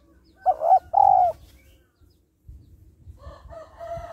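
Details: Female spotted dove calling to draw in males, giving a double low coo early on, followed by softer mixed background calls and faint noise.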